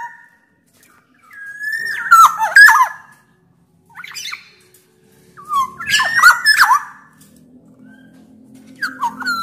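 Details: Black-naped oriole known as the Sumbawa oriole, its loud, persistent song played to lure other orioles into singing. Three separate bursts of tumbling, mellow whistles with scratchy, harsh notes, spaced by short silences.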